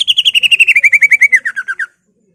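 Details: Greater green leafbird singing a provoking song meant to stir other leafbirds, its repertoire holding mimicked phrases; about twenty crisp notes in a fast trill sliding steadily down in pitch, then an abrupt stop into silence.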